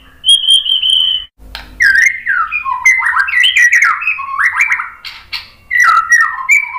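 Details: Murai batu (white-rumped shama) song played to provoke a reply: a steady high whistle, a brief pause, then tumbling sequences of fluty notes rising and falling in quick succession.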